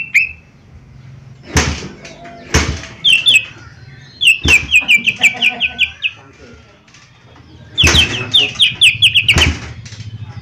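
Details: Mini leafbird in full voice, a lure for prompting song: bursts of quick, evenly spaced whistled notes sliding downward, broken by sharp knocks and clicks, with a low rumble underneath.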